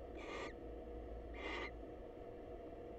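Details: Wild female barn owl visiting a male at a nest box to say hello: two harsh, hissing screeches about a second apart, each roughly a third of a second long, over steady low background hum.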